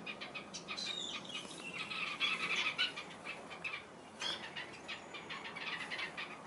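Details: Red-capped robins feeding newly hatched chicks: dense bursts of thin, high twittering notes cluster near two seconds and again after four seconds, rapid and uneven, over a steady soft hiss of outdoor background noise.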